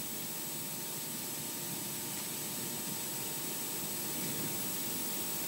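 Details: Steady broadband rushing noise, like wind or spray, with a faint constant hum and no animal voice.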